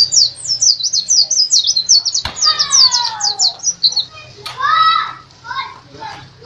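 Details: High, quick, zigzagging chirps pour from a Bali dakun white-eye, a national contest champion, then give way to a sharp click and softer, lower drawn-out whistled notes over a faint hum.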